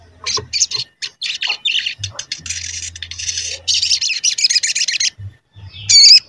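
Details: Crimson sunbird (sogon) lure sound intended to trigger singing and agitation in other sogon: repeated buzzy, high-pitched bursts of chatter separated by brief gaps, ending with a loud squeaky wavering note.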